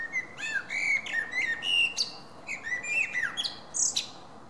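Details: Common blackbird singing on 10 June 2017: a run of mellow fluted whistles with slurred, rising and falling phrases, each phrase ending in higher twittering notes, several phrases in under five seconds over a quiet background.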